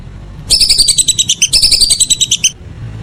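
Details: A single run of whistling duck calls in the evening, two seconds of fast, evenly spaced high whistled notes with a slight drop at each phrase end, quiet low background.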